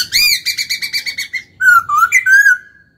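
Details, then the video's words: Caged laughingthrush (khướu) singing a stimulated kích bổi song: a rapid series of about ten rich, even whistled notes, then varied, slurred whistles rising and falling, in a quiet room. "Khướu hót cực hay, kích bổi hót ngay"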